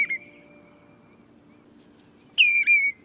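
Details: Common redshank calling the flock: a brief loud whistled note, a pause, then a clear whistle that slides down and levels off, followed by a shorter whistled note.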